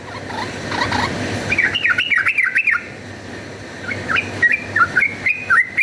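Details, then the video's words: Yellow-vented bulbul in fighting song, used as a lure: two bursts of quick warbled notes, wavering up and down in a lively, chattering pattern, separated by a short pause, over steady background noise. "cuk cuk uplik uplik ! trucukan gacor ropel tarung"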